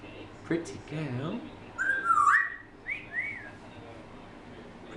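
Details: Pet female African grey parrot, about six months old, whistling and chatting: short murmured talk-like sounds first, then a high wavering whistle and two quick rising-falling whistled notes.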